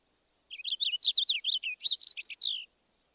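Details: Purple finch song: a rapid, lively warble of about a dozen high slurred and chirpy notes, rising and falling, delivered in roughly two seconds. Background is clean and quiet.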